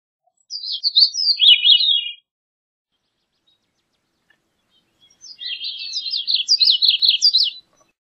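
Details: Two high, reedy Gray-cheeked thrush phrases a few seconds apart. Each is a fast run of slurred, zigzagging notes, the second longer and ending on rising notes. The background is quiet.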